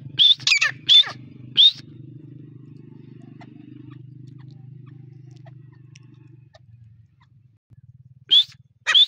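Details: During the breeding season a grey partridge gives four quick high whistled notes with an upward flick, falls silent for several seconds while a low hum continues, then calls twice more.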